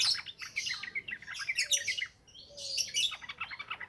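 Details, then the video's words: Continuous wild-style ngropel ngalas singing of a yellow-vented bulbul, meant as a lure for raw birds: busy high chirping and tumbling notes in two long phrases split by a short gap. "SUARA BURUNG TRUCUKAN NGROPEL NGALAS COCOK BUAT PANCINGAN BAHAN"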